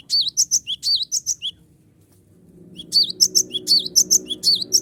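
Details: Energetic cinereous tit song luring rival birds into answering: two fast bursts of bright, high chirps separated by a pause of over a second, with a low hum underneath.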